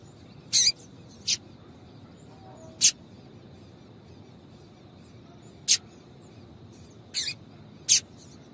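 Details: Female double-collared seedeater giving calls meant to stir a male into singing: six isolated, very short high chips at uneven gaps of one to three seconds against low background hiss.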